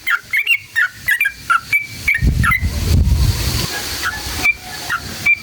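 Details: Sooty-headed bulbul singing in "ngalas ropel panjang" style, used as a lure for other bulbuls; a quick string of whistled notes, then a loud rustling noise burst, followed by scattered single notes.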